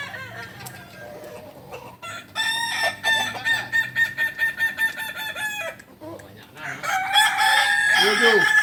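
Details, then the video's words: Kukuak balenggek rooster at a practice crowing contest in Panyakalan, Solok: a long crow of many short stepped syllables in quick succession, then a second rising, strained crow, with other birds faintly behind. "Latberan ayam kukuak balenggek di panyakalan solok"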